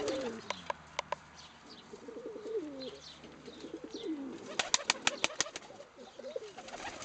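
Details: Female pet pigeon in an aviary, cooing back at someone cooing and bowing to her; low burbling coos mixed with sharp clicks and wing claps.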